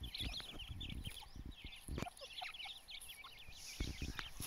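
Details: Partridge (teetar) chicks of the Dakhni type: many thin, high chirps and little rising-falling peeps overlapping continuously, with rustling knocks and low background noise.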